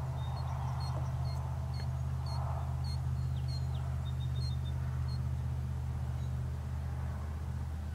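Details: Killdeer preparing for nesting season, recorded 1 April 2017: high, thin arched notes repeated about twice a second for three seconds, then a brief rapid trill, all over a steady low rumble.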